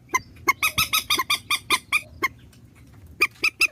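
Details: Vietnamese swamphen decoy recording: a steady series of loud, nasal, honking squawks about four per second, a pause, then three more sharp honks.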